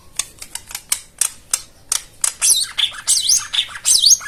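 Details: White-eye (jomin) song played as therapy for birds that stopped singing: sharp clicking ticks roughly every third of a second, then dense high warbling twitters with looping whistled sweeps.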